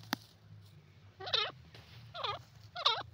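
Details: Teetar or grey francolin in India, 2023, giving three loud, harsh, wavering notes in quick series about half a second apart, after a sharp click, with low humming background.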